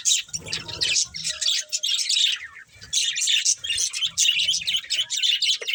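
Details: Pet budgerigars chattering in a lively mix of grating chirps and squeaks, nearly unbroken, with faint low rumbling early on.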